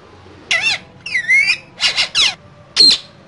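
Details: Pair of green parrots in a cage giving loud, harmonic squawks: five separate bursts, some rising-and-falling, one drawn-out wavering cry, each under half a second, indoors.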